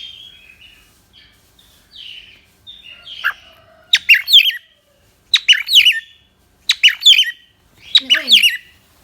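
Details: Pet cockatiel chattering indoors, soft warbled notes building into loud bursts of sharp chirps about once a second, with a person talking nearby.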